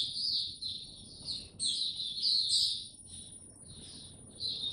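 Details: Oriental white-eye, recorded 02052022, singing rambling high twitters and slurred whistles in uneven bursts, partly masked by a constant thin whine and broad low background noise.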